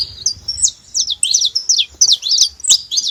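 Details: Saffron finch chirps: short, high, slurred notes given about three per second, some rising and others falling sharply.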